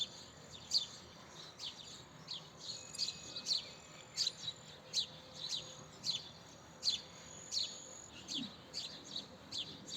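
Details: Chirping house sparrow repeating short, sharp, high notes about once or twice per second in a steady, slightly uneven series over soft background noise.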